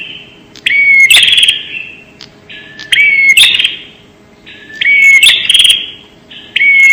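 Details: Prenjak, or bar-winged prinia, as a lure sound: strident, buzzy phrases with a bright rising whistle, about four in seven seconds, delivered at a steady, loud level over silence.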